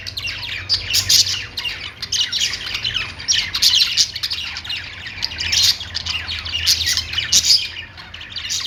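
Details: Domestic budgerigars produce a steady stream of bright chirps, squeaky warbles and short squawks, rising and falling in loudness in waves over a low background hum.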